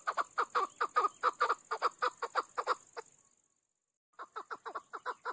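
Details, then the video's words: Chukar partridge, a hunter's bird, giving a fast series of clucking chuck notes, about a dozen in three seconds and fading, then after a pause a second run starts; a steady high whine runs throughout. "Chakor ki awaz. Hunter Chakor sound. Keklik Sesi chukar."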